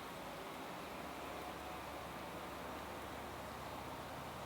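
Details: Steady broadband hiss and distant traffic rumble throughout, with no animal calls.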